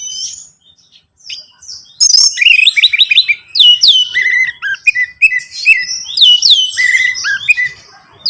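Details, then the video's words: Orange-headed thrush song for stimulating a caged bird to sing: after quiet high notes, an energetic run of repeated down-slurred whistles and sharp chips, richly varied and continuous for several seconds. "Merangsang ANIS MERAH Berani Bunyi, Saat Diputarkan Kicauan Ini dalam Beberapa Menit."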